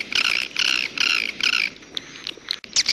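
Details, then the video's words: Swiftlet calls in the jaguar style: four loud, harsh buzzy chirps about every half second, then softer scattered chirps and a final rising buzz. "SUARA WALET jaguar BURUNG WALET"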